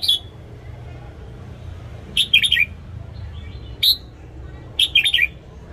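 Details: Red-whiskered bulbul morning song for training caged birds: a pattern of a single sharp note followed by a bubbly phrase of several quick chirps, repeated twice, over a soft low background rumble.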